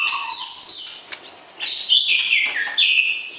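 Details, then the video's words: White-rumped shama in pairing before breeding, singing to arouse the opposite sex: a short passage of high sweet whistles, a quiet gap, then a loud descending slurred phrase. "PERJODOHAN Murai Batu, PANCING Birahi Lawan Jenis"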